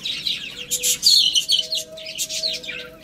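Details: Eating rice, chicks let out loud, shrill peeps that slide downward, tumbling over each other in a brief lively chorus with a few sharp taps.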